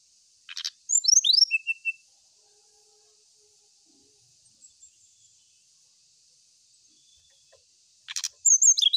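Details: Brown-chested jungle flycatcher song for seeking a rival: a short burst of high, falling whistled slurs, a long near-silent pause, then another high phrase beginning with a click.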